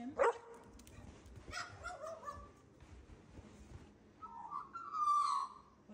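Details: An Australian magpie (Gymnorhina tibicen) that barks more than the owner's dogs imitates a dog, giving short, rough, bark-like yaps followed by a drawn-out whistled note.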